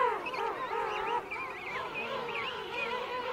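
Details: Adults calling among a king penguin colony with chicks at Right Whale Bay; several softer, wavering harmonic calls overlap, with short looping higher notes recurring above a steady murmur of colony voices.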